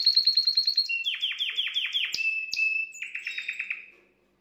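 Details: Canary singing to arouse a female's breeding interest: a rapid pulsing trill, a run of falling whistled notes, two sharp buzzy accents, then another quick trill that fades out to silence.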